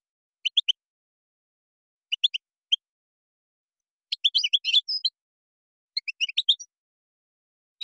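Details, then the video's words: Moroccan-style European goldfinch song with gazrat and srrr bertbertiou elements: small groups of three sharp chirps, then denser twittering runs, all high-pitched with silent gaps between. "تغريد مغربي ڨازرات + سررر برتبرتيو canto jilguero marocco"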